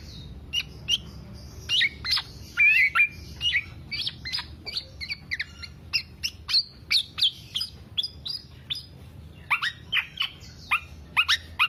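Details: Black-naped oriole in long nonstop song, recorded as a lure or training master for kept songbirds: dense, rapid series of sharp chirps and short slurred whistles, repeated almost every half second throughout.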